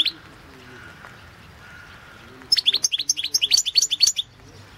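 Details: European goldfinch singing in a 2016 world championship song competition held over the internet, Balkan goldfinch entry: after a quiet start, a rapid run of bright, high twittering notes with liquid trills for nearly two seconds.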